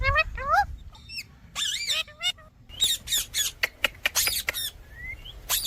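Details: Indian ringneck parakeet squawking in abrupt bursts: a few wavering whistled shrieks, then clipped, harsh screeches spaced irregularly, and a thin rising whistle near the end.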